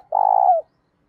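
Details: A single drawn-out spotted dove coo, a đồng-style voice with some thổ character, used for training doves: a steady, throbbing, trilled note about half a second long, dropping at its close.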